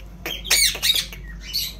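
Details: Harsh, raspy squawks from an Indian ringneck parrot known for talking, three loud bursts close together then a softer screech.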